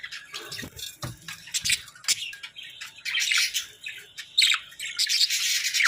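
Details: A talkative pair of pet Hago budgerigars chatter with busy, scratchy warbles and sharp chirps, mostly high-pitched and continuous.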